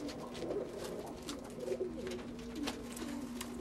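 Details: Pigeon youngster, filmed at two weeks old and again at four months, producing low soft coos and brief wavering notes, accompanied by a steady background hum and occasional clicks.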